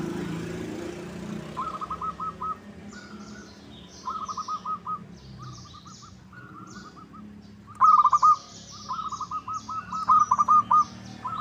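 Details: Local zebra dove cooing, used as a lure to make other doves sing and answer: several short phrases of quick staccato mid-pitched coos, each ending in a slightly longer note, with faint high chirps from other birds in the background.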